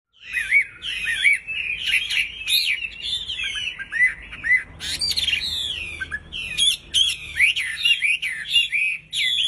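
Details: Sooty-headed bulbul in breeding condition singing vigorously: a steady run of rich, fluty whistled phrases, each note sliding up and down, delivered in quick bursts with short gaps and no other clear sounds.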